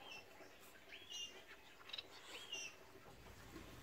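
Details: Blue-capped cordon-bleu calling: thin, high, rising and curved notes repeated a few times over soft background noise.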